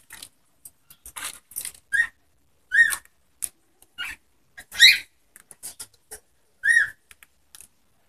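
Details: Whiteface cockatiels calling: scattered short, shrill chirps with rising-then-falling tone and rich overtones, mixed with faint clicks and soft scratchy noises, in irregular bursts roughly once or twice a second.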